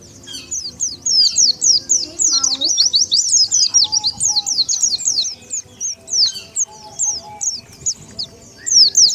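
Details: Lure call of Oriental white-eye for attracting wild birds: busy, overlapping high chirps at first, easing into spaced, down-slurred tweets, with a short low sound early on.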